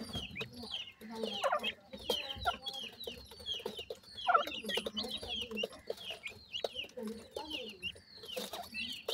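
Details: Feeding grey francolin chicks and family: dense chatter of sharp high chirps mixed with soft low clucks, plus frequent clicks and scuffling noises.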